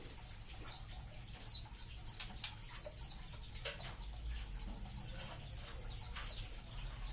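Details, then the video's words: A dense, unbroken chorus of munias from a colony, with rapid thin high chirps sliding downward and overlapping throughout, a few rustling clicks, and a low rumble in the background. "COLONI BURUNG EMPRIT"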